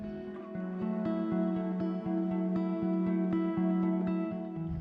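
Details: Strummed acoustic guitar music with a steady rhythm and no animal sound.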